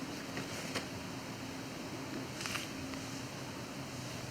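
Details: Faint hum and rustling handling noise at a lake, with no animal calls.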